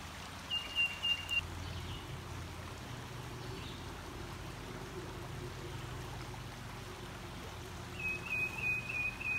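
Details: Tufted Titmouse by a creek while camping in Virginia, answering banjo tuning note-for-note: two short runs of quick, clear whistled notes on nearly one pitch, about four notes each, over steady rushing water.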